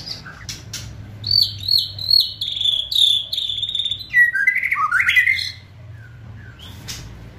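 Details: Caged White-rumped shama singing to provoke and hasten singing: a run of repeated high whistled notes, about two to three per second, then a descending warbled phrase and a few sparse calls.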